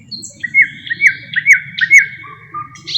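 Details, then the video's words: Thrush nightingale singing, a songbird known to mimic other birds: loud repeated sharp whistled notes with downward flicks, about two per second, followed by softer trailing notes and a high buzzy ending, over a low background rumble. "How Thrush Nightingales Mimic Other Birds"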